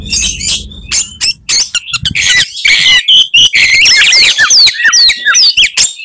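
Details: Fighting Oriental magpie-robin pouring out provocative 'tembakan' song material: a busy jumble of high chirps, scratchy notes and clear downward-slurred whistles that grow more prominent toward the end.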